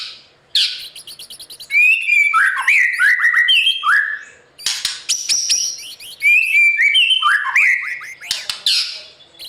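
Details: Competition-trained white-rumped shama singing to practise: varied loud whistled phrases with rapid rising and falling notes, repeated motifs, rattling trills and sharp clicks, delivered in two long bursts.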